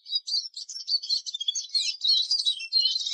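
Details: Eurasian siskin singing an unbroken, high-pitched rapid twitter of chirps and short trills, steady in loudness.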